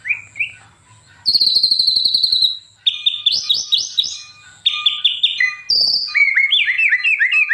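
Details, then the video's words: Murai batu (white-rumped shama) singing as master material for other shamas: a sustained, high buzzy trill, then scratchy warbled phrases and a series of quick rising whistles, with a faint low hum underneath. "KOMPILASI MURAI BATU - KUMPULAN BEBERAPA SUARA OCEHAN BURUNG MURAI BATU GACOR UNTUK MASTERAN MURAI"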